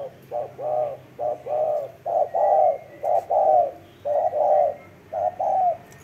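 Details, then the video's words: Spotted dove calling strongly, with loud, rounded low coos grouped in twos and threes, the longer notes dipping at the end, phrases about a second apart. "CHIM CU GÁY SIÊU GÙ"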